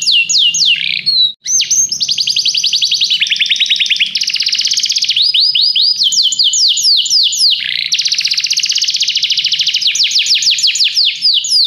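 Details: Canary training song: almost nonstop fast trills and rolling phrases of repeated notes, switching between faster and slower note rates, with downward sweeps marking changes, over a faint low hum.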